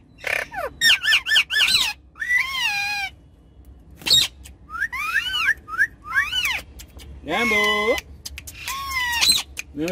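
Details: Ringneck parrots kept as pets, riding on the back seat of a car while chattering playfully, give rapid harsh squawks, then longer wavering whistles and looping calls with gaps of near silence between bursts.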